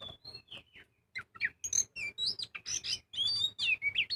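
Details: Singing lure of an Oriental magpie-robin (kacer), 'gacor full ngobra' style: a few soft opening whistles, then a dense quickening stream of bright, high warbled and slurred notes.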